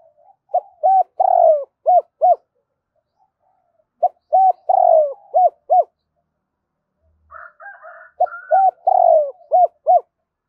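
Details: Spotted dove cooing as a lure call to provoke other birds: low, mellow phrases of several short hooting notes with one drawn-out coo, repeated three times with pauses between.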